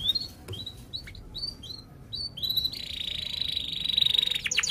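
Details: Canary song meant to lure young and silent canaries into singing: short, fairly faint upward chirps spaced apart, followed by a long, steady, buzzy rolling trill.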